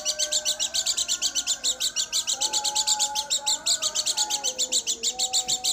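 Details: Pleci dakun garut white-eye giving a quick, regular series of high chirps, several per second, with faint sliding lower tones in the background.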